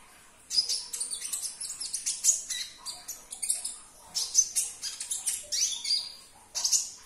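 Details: Sunbird (kolibri ninja) song, played to prompt a silent caged bird to sing: rapid bursts of very high, sharp chirps and thin trills, coming in dense clusters with short pauses between.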